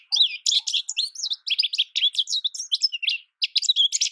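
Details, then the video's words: Rapid, cheerful twittering from an American goldfinch: dense high chirps and looping slurred notes following one another closely, with a single short break near the end. "American goldfinch Bird Sound, Bird Song, Bird Call Bird Calling Chirps, Birds Chirping Melody"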